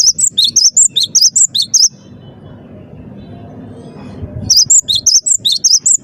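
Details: Vigorous cinereous tit song made of quick, high, ringing whistled notes in up-down pairs, repeated steadily for about two seconds, a lull of low background rumble, then the same rapid whistling returns.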